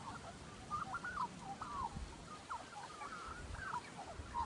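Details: Australian magpie giving strange, computer-like warbling calls: a run of short wavering, bending notes, sliding up and down in quick succession, over steady background hiss.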